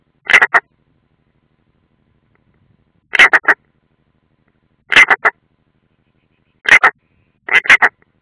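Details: Unringed European roller at the nest, Ādaži training ground, Latvia, late June 2016. Five clusters of rough, grating rasps, mostly paired or tripled notes, come at irregular gaps of roughly one to three seconds in a quiet background.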